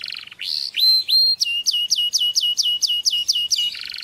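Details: Canary song meant for teaching to another bird: a rising whistled sweep, then a rapid train of about ten bright downward-slurred notes, each with a high overtone, ending in a buzzy trill.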